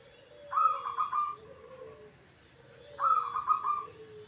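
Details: Wild local zebra dove (perkutut). It gives two cooing phrases about two and a half seconds apart. Each phrase has a bright, stuttering upper part over a soft, low, slightly falling coo. Quiet natural background.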